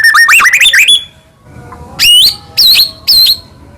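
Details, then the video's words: Energetic White-rumped shama singing to make other shamas answer: a fast run of rising and falling whistles, a brief pause, then three loud, clear, sweeping whistled notes evenly spaced. "murai batu gacor AMPUH buat PANCINGAN murai batu agar bunyi"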